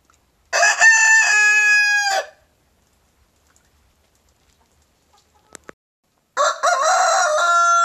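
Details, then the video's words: White Leghorn rooster crowing non-stop on a spring morning to impress hens: two loud, harmonic cock-a-doodle-doo crows about four seconds apart, the second cut off, with a quiet pause and soft clicks between. "White Leghorn rooster crowing in the morning"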